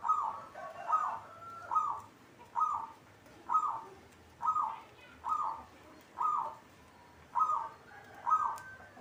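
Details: Local perkutut, or zebra dove, cooing in a lively series: about ten short burry notes at a fairly steady rhythm, some with a small linking trill between them, over a soft low background murmur.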